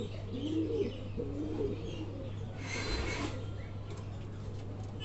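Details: Angry pigeon cooing low and hoarse in the first two seconds, followed by a burst of rustling noise over a constant background hum.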